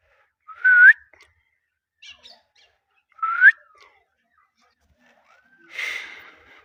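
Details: A pet Indian ringneck (rose-ringed parakeet) gives two short, clear whistled notes that slide upward, about two seconds apart, then a few soft chirps and a harsher, breathy squawk.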